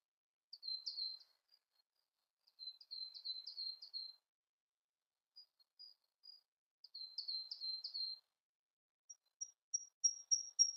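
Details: Siberian blue robin: bursts of quick, high chirping notes separated by pauses, ending in a series of thin, pure whistles repeated about once a second.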